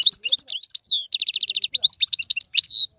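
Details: Algerian goldfinch song in the tiwawati, galoubi and serfati manner. Mixed chirps, then a fast even trill of about ten rapid notes, more varied twitters, and a final drawn-out nasal note.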